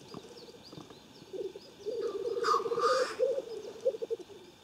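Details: Black grouse lekking in Siberia, at Klassino in Omsk region, 2018; continuous bubbling, cooing rumble from several males, with a harsh hissing sneeze-like burst midway and faint higher bird chirps behind.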